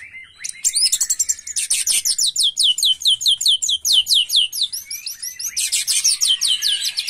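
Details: Young white-rumped shama in agitated macul-style song: a long rapid series of high sweeping, repeated notes, about two per second or faster, loud and continuous throughout.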